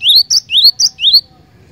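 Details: Cinereous tit in full song, a loud, rapid sequence of upward-sweeping whistles separated by short bright chips, about three cycles in just over a second, then silence.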